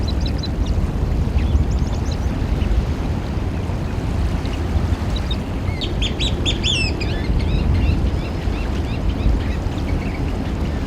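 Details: Eurasian oystercatcher in the wild: a burst of loud, shrill piping notes in quick succession, then scattered sharper calls, over a heavy constant roar of surf or wind.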